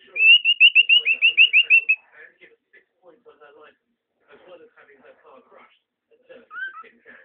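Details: A cockatiel, excitedly singing at a mirror, whistles a quick run of bright, slurred notes, then chatters softly.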